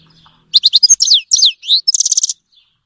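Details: Grey-headed goldfinch (Carduelis caniceps) giving a loud, close song phrase: quick chips, swooping slurred whistles and a fast rattling trill of repeated notes.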